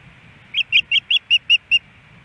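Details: Early morning at a Hellgate Canyon osprey nest in Missoula, Montana, April 18, 2018, as a fish arrives: a rapid string of seven piping whistled notes at steady spacing.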